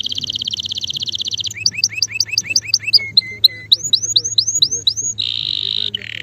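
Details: Canary male in full song: a rapid high trill, then paired chipping notes, short flat whistles, a series of rising whistled slurs and a closing buzzy roll, with a faint steady low hum.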